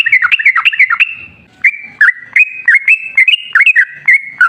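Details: Wild sooty-headed bulbul in rapid lure song meant to draw answering song from other bulbuls: a tight cluster of whistled notes, a short break, then steady repeated whistles about three per second.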